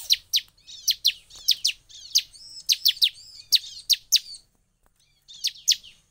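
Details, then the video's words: A bar-winged prinia repeats sharp, high chirps in quick bursts of two or three with brief pauses, a call said to provoke other prinias into calling. "SUARA CIBLEK PENDONGKRAK EMOSI CIBLEK LAIN IKUT EMOSI"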